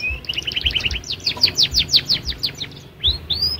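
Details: Young canary learning to sing: quick stuttered chirps leading into a rapid series of descending sweeping notes, then two rising slurred whistles after a short pause.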